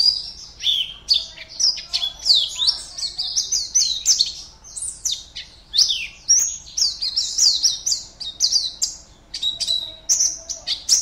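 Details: Oriental white-eye kept in a cage and entered in an online song contest from Pontianak, Indonesia, sings an extended, lively series of high-pitched chirps and quick downward slurs, rhythmically repeated with tiny pauses.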